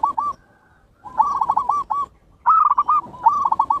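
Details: Zebra dove song, Bangkok and local types, used as a training lure: bursts of rapid looping cooing notes with a throaty tremble, two phrases separated by a pause, over a rough background.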